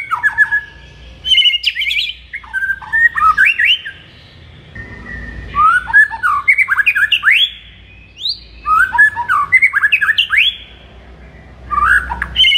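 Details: Morning song of a white-rumped shama, played to rouse a kept shama: bursts of rapid rising and falling whistles, each about two seconds long, split by short silent gaps.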